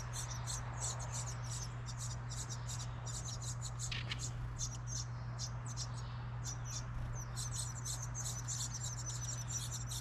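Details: Nestling house wrens begging in a recycled license plate nest box outside a home in New England as an adult brings food. Very high, scratchy peeps chatter almost continuously, with a faint low mechanical hum beneath.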